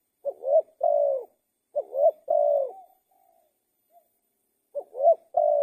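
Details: Low cooing of a spotted dove: phrases of a short upswept note, a rising coo and a long steady coo, with a faint soft trailing coo between phrases and nothing else audible.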